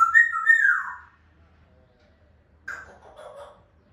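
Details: African grey parrot kept as a pet whistles a wavering mid-pitched phrase that bends down at its end. After a pause comes a softer, rougher, grating note, against a quiet room.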